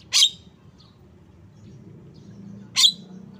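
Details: Two loud, scratchy notes from a Javan myna, each with a sharp whistled centre, spaced over two seconds apart, with soft background hum between them.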